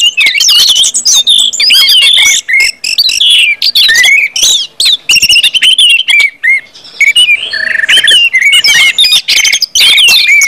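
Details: Energetic Orange-headed thrush song meant to stimulate other birds into singing; dense varied whistles, slurred notes and harsh chips run almost without break.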